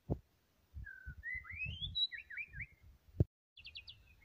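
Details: White-rumped shama in full song: a smooth whistled note, then rising and falling whistles, a quick wavering trill and a burst of high repeated notes, with low knocking thumps and one sharp click behind it.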